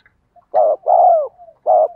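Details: Decoy spotted dove, played to rouse wild doves into cooing. A short low coo is followed by a longer drawn-out coo that sinks in pitch, then another short note begins.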